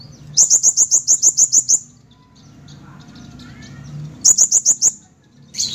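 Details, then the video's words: Bright, very high sunbird song in 'gacor' mode: a sharp rattling series of about ten quick ticks, a pause with faint background hum, then a shorter matching rattle and a final squeak. "Kolibri Ninja Gacor"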